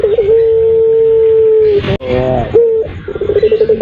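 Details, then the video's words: Puter pelung turtle dove cooing as a lure for other birds: a short warble, then a long, steady, low hum-like coo of about one and a half seconds that sags at its end, a brief break, rolling notes, and a rapid pulsing coo sequence. "Suara PUTER PELUNG untuk ( pancingan )"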